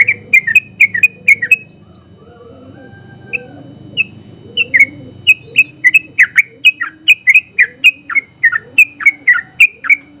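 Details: Sooty-headed bulbul, winner of first place in a general-class contest, singing its long rapid 'ropel' song for training other birds: fast bright notes, a quieter stretch with scattered single notes and faint low background tones, then a dense burst.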